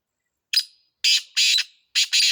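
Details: Black francolin, locally kala teetar, giving loud, harsh, rasping notes: a short opening note followed by longer grating phrases in two paired bursts, with no other sounds.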